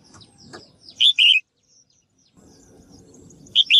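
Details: Female bird calling so males sing lively: loud two-part chirps, short then drawn-out and descending, repeated about two and a half seconds apart, amid soft twittering and low background rumble.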